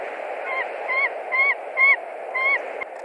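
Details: White-tailed eagle at a nest in Latvia, 20 March 2021, reacting to an intruding eagle on the branch: five yelping screams at uneven intervals, partly masked by a steady broad hiss.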